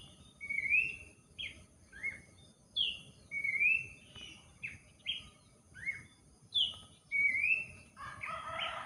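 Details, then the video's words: Abbott's babbler heard during gardening: clear whistled phrases, each a short rising or falling slurred note, spaced about every half second to a second, with a brief rustling burst at the end. "berkebun di temani burung pelanduk semak"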